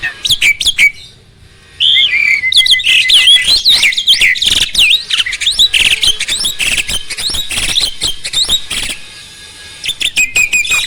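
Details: Starling song used as a training recording to provoke other starlings to sing: a dense, fast run of varied whistles, chirps and sharp high notes, with brief pauses near the start and toward the end.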